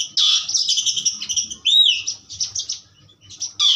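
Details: Asian pied starling singing a loud, varied phrase of harsh chattering notes mixed with a clear whistled upward-then-downward sweep, with short gaps and a fresh burst at the end.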